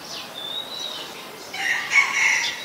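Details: A female house sparrow in Ubon Ratchathani, Thailand, on 5 February 2020 gives thin, high notes, then a burst of harsh, buzzy chirps with two louder cheeps near the end.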